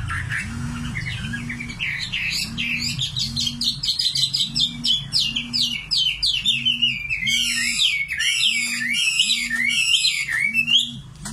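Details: {'caption': 'Common nightingale in full song: dense bursts of rapid chirps and rattling trills, later bright descending whistled notes, while a low mechanical tone pulses roughly once a second.'}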